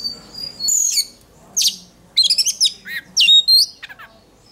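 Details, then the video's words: Oriental magpie-robin in training for singing contests, voice fired up: a long falling whistle, then a pause before dense clusters of buzzy trills and sweeping whistled slurs. "Choè than hót đấu/Choè than hót luyện giọng căng lửa/Choè than hót"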